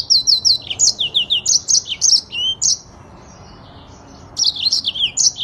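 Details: Yellow-fronted canary, imported from Africa, singing quick phrases of high descending whistles and chips, about three notes a second, then falling silent for over a second before resuming a fast trill.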